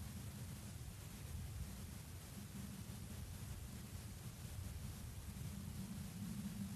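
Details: Low rumbling wind noise on the microphone throughout, with no animal calls.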